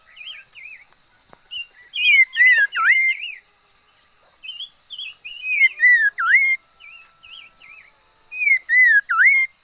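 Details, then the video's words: Singing decoy red-faced liocichla, with wavy whistled notes leading into three loud bursts of rich, dipping whistles spaced about three seconds apart. "Chim mi lửa mồi hót hay vij txwv noog vom yij liab ntseg quaj kho siab kawg li"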